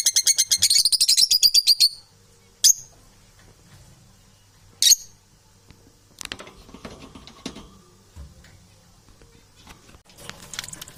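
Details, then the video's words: Domestic parrots calling: a rapid, rattling burst of high, harsh pulses for about two seconds, then two sharp single squawks and scattered scratchy sounds with faint background noise. "Unbalanced domestic Parrots"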